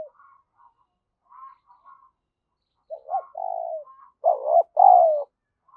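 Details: Lure spotted dove's 'gáy thúc' and 'gù' calling to stimulate wild doves; soft distant coos at first, then a full phrase of short notes, a falling coo, and a louder double coo near the end.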